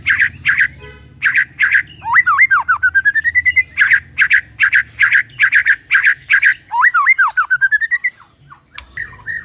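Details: ['Energetic white-rumped shama singing, used to get other shamas into full song: rapid rasping double notes, a swooping whistled loop climbing into a rising run of clipped notes, repeated, ending with scattered sharp notes.']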